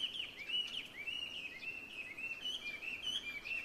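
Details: First song of the year from a Chinese hwamei in Ito, Japan, February 2023: faint, continuous wavering whistled phrases gliding up and down, with a hissing outdoor background.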